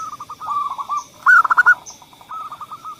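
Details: Lure song of a zebra dove for doves that rarely sing: a soft stuttering coo series, then a loud, quickly pulsed burst of notes, then the soft series again, over a steady high hum.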